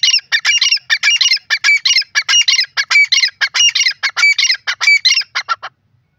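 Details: Grey francolin (teetar) calling loudly in a steady series of harsh, ringing, rasping phrases. About a dozen phrases repeat in rhythmic succession for nearly six seconds before ending; no other sounds intrude.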